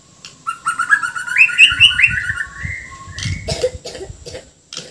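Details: White-rumped shama of the Bornean type in full song, packed with filler phrases and harsh notes: a flowing run of rising and falling whistles climbing higher over two seconds, then scattered sharp notes with low thumping noises.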